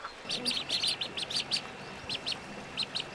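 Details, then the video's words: Ducklings on a pond peep in high, thin, quick notes, several in rapid clusters followed by sparse pairs. "Som de Pato - Patinhos na Lagoa - Duck Sound"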